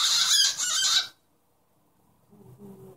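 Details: Pet cockatiel chattering and imitating its owner's sneeze: a loud, hissing, broadband burst lasting about a second, then near silence with faint low room murmur.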